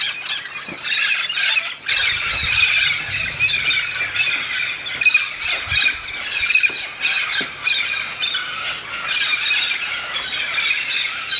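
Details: A large flock of Red-spectacled parrots (Amazona pretrei), migrating to the Santa Catarina highlands of southern Brazil to eat araucaria pine seeds, keeps up a dense, overlapping chorus of harsh squawks and shrill squeals without pause.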